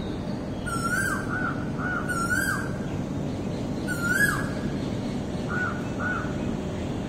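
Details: Myna calling on April 24, 2023: clear whistled notes near the same pitch, some with a short downward slur, given in three bursts about every one and a half seconds, each with a high rippling overtone, over steady low background rumble.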